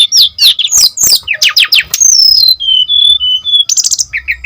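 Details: Brown-chested jungle flycatcher singing strongly as a lure and tutor: quick harsh slurred notes, then a long wavering whistle falling in steps, followed by short repeated chirps.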